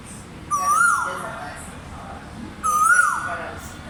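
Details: Two loud whistled koel notes about two seconds apart, each sliding upward then trailing down in a slurred tail, with low rumbling background noise between calls.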